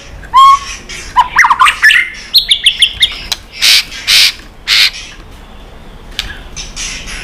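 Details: White-rumped shama in a singing duel, tail flicking: a clear whistle, then a tumbling burst of twittering and a fast string of bright notes, followed by several loud broad rushing bursts and a quiet stretch.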